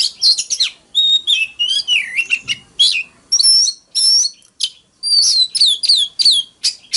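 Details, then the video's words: Oriental magpie-robin, decoy bird, forest-voice fighting song: vigorous mix of buzzy chattering bursts, long whistled notes and looping downslurs, delivered in quick phrases with brief pauses between them. "Choè than hót múa . Tiếng than mồi hót đấu .kích choè than hót sáng"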